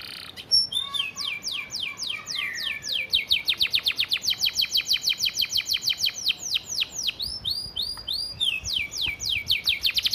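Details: Canary master recording for training: long run of rapid descending whistled notes that speeds into a dense trill, then shifts to another phrase of repeated slurred notes.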